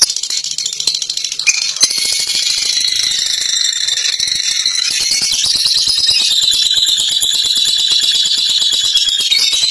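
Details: Fighter lovebird, caged, in sustained ngekek singing: a loud, unbroken high chatter of rapid rattling notes lasting nearly ten seconds, harsh and dense throughout, with faint knocking early on.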